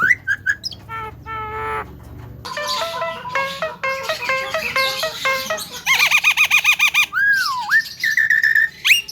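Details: Talking Javan myna sound used as a lure to provoke other mynas: short stacked harmonic notes, then a run of nasal, chattering phrases, a rapid warbled trill and a long swooping whistle ending in a sharp upward note.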